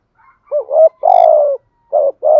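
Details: A spotted dove, male or female, gives a lure coo meant to stimulate other doves: a rising double coo, a long throaty falling coo, then two more short coos start again.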